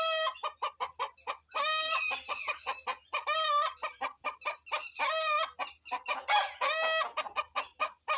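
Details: Excited rooster with his hens on a morning forage, warning his family to hide from kites flying overhead; rapid clucks interspersed with loud, strongly harmonic squawking cackles, several bursts over eight seconds.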